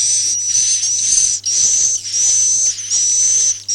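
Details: Swiftlet sound in Akau ngaji style, long drawn-out hissing whistles merging into near-continuous chirping, broken by a few short pauses, over a low background hum.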